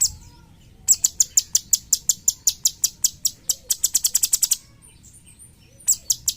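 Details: High, sharp chips from a cucak cungkok bulbul, a master bird for songbird training, repeated about six per second for nearly four seconds and speeding up near the end, then a short pause and a few more chips.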